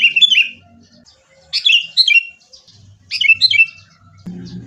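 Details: Sooty-headed bulbul, caged-bird lure recording in fighting style: short clusters of loud, downward-slurred chirps spaced about one and a half seconds apart, with soft low rumbling in the background.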